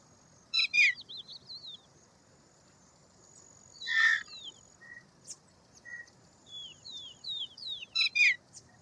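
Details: Indian roller (milk bird). Rough, rasping call bursts are spaced a few seconds apart. Short high whistled phrases and brief mid-pitched notes from other birds are scattered around them over quiet background noise.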